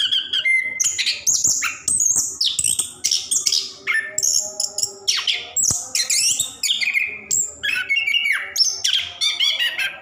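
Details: Caged orange-headed thrush singing nonstop to prompt other caged birds to sing; rapid varied phrases of whistles, rattling trills and mimicked chirps, evenly paced bursts throughout.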